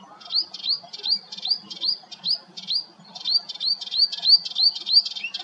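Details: Melodious warbler (Hippolais polyglotta) singing at Hegenheim, France, in June 2023: a fast, chattering run of short upslurred notes, about three per second, high-pitched and slightly scratchy.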